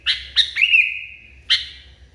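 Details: Sooty-headed bulbul, very agitated, gives three quick harsh notes ending in a long, even whistle, then one more sharp note. Soft low hum in the background.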